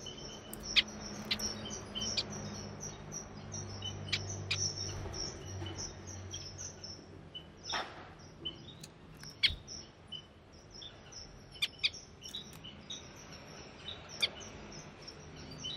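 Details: Timor zebra finches, males singing and females calling, recorded on 4 January 2020; soft high chirps and short sharp notes scattered through, with a faint thin whistled tone running steadily above, over low background hum.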